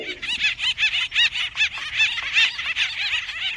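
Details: Acorn Woodpeckers fighting over nesting and acorn-granary trees trade harsh, laughing, rolling calls in rapid overlapping bursts, roughly two or three a second, from several birds at once.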